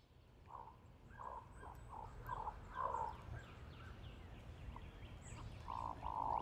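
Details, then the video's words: A flock of Hooded Mergansers giving their typical grunting; short buzzy, frog-like bursts in uneven series, growing louder toward a drawn-out rasp at the end. "Hooded Mergansers (sound and video)"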